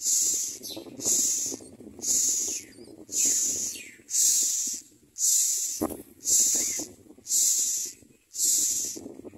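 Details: Common myna at its nest, catching crickets to feed its young: loud, harsh, hissing bursts repeated about once a second in a steady rhythm, each rasping burst lasting roughly half a second, over a low rumbling background.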